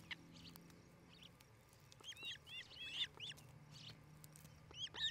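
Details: Osprey pair at their nest in Charlo, Montana, on a nest camera, 8 July 2018 between 5 and 6 pm: scattered high, slurred whistled notes in short bursts, some with arched rising-falling shapes, over a low steady hum.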